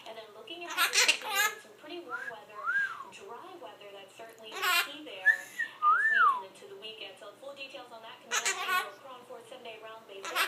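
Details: Hahn's macaw, a pet bird being silly, laughing: breathy cackling bursts and throaty chuckles mixed with short rising-falling whistled notes, with a person's voice in a small room.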